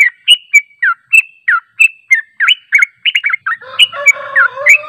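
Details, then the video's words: Yellow-vented bulbul song as a lure for responding birds: rapid chirpy downslurred notes, quickening into a tight cluster, then overlapped near the end by a lower, drawn-out, harmonic squealing sound. "PANCINGAN TRUCUK JANGAN Di Ragukan Langsung Nyaut"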